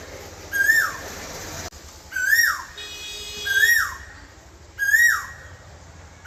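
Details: Asian koel calling repeatedly: four clear whistled notes, each rising then swooping steeply down, spaced roughly every one and a half seconds over a soft background hiss.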